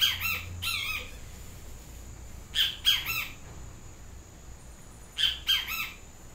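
Great Kiskadee giving harsh, squawking calls in pairs, each pair about two and a half seconds apart, over a faint low hum.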